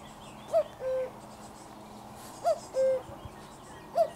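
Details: Common cuckoo heard at close range on 4 June 2023, giving its falling two-note cu-coo three times at steady intervals of roughly one and a half seconds over a low hum and distant twittering of other birds.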